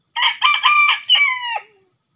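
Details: Crow of a red junglefowl during decoy luring of wild junglefowl in Sumatra: four choppy, grating syllables rising in force, the final one stretched and then falling abruptly, with constant high-pitched insect buzzing behind.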